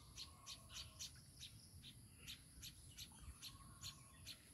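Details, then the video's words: Baya weaver with its chicks: a quick run of short, thin chirps, roughly three per second, some doubled, over a steady faint high whine and low background rumble. "babui pakhi are tar baccha"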